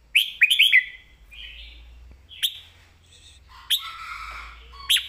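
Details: A caged red-whiskered bulbul sings a southern Thai master song meant for training birds: a tumbling opening of four rich whistled notes, then scattered single calls and a softer, fuller warble, ending on one sharp note.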